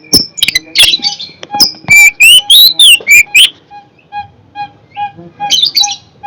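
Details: Fierce long-tailed shrike singing: loud harsh chattering strokes and ringing rising-and-falling whistles, then a soft, regular series of short pure pips about twice a second, ending in another loud burst.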